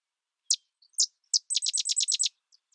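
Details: Three well-spaced sharp high notes from a sedge wren, then a rapid staccato series of about eight dry chattering notes.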